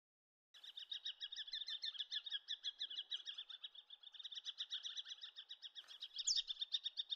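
A collared sparrowhawk gives a fast, high, ringing chatter of sharp repeated notes, run together steadily for about seven seconds.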